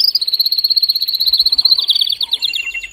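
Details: Strong male canary song aimed at encouraging mating, heard as a dense, fast rattling trill with overlapping high tones and slight background hiss.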